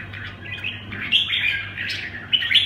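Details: Red-whiskered bulbul delivering a rapid, chattering warble of sweet whistled notes. Phrases run almost without pause, with sharper, brighter accents in the middle and near the end, over a steady low hum.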